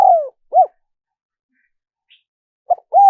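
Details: Spotted dove cooing, used as a lure for wild doves. Parts of two phrases: a falling coo and a short rounded coo, a gap, then a clipped note and a rounded coo, all low and mellow. Nothing else clear.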